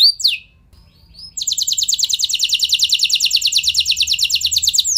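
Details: Singing canary used to spur other canaries into long rolls: two quick downward sweeps, a short gap, then a long, even, very fast high trill.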